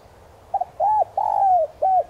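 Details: Spotted dove decoy with the 'son' cooing voice, meant to stir wild doves. Faint stuttered opening, then three low, hollow coos, the middle one long and gently falling. Quiet background.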